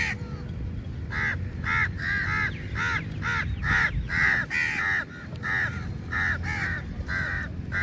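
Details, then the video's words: Crows crowding onto food at feeding time, a very large number of birds: hoarse caws follow one another in a near-continuous, uneven stream, with a low background rumble throughout. "Crow Sounds Very Loudly"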